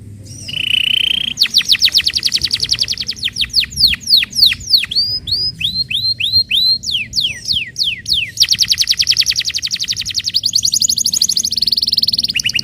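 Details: Canary song played to encourage other canaries to sing: a buzzy note, fast trills, repeated swooping whistles, then extended rapid high trills.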